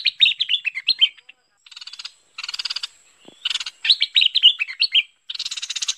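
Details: Bulbul, known locally as merbah pet pet or lekir, calling in a 2021 recording used to lure the bird: bursts of rapid, harsh, buzzy chattering notes, some scratchy and some sliding down, broken by short pauses, with a faint steady high whine behind.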